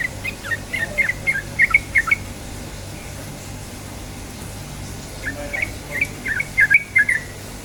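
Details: Yellow-vented bulbul song used as a lure to make birds start singing: short bursts of bubbly, liquid warbled notes around mid-high pitch, a cluster early then another after a pause, over steady low background hum.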